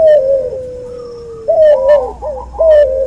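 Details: Cuhu, a hybrid dove from a white albino puter crossed with a puter pelung, heard in a training recording. Mid-pitched drawn-out coos, the first long and gently falling, then short wavering coos with brief upper overtones.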